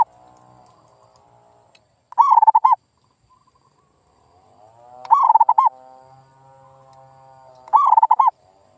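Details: Zebra dove lure call aimed at making silent local doves call back: three bubbling coo phrases roughly every three seconds, over a steady droning tone in the background.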